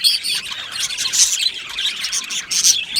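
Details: Short burst of budgerigar chatter from an aviary colony, 22 June 2025: overlapping high, squeaky chirps and whistled warbles pulsing in quick waves.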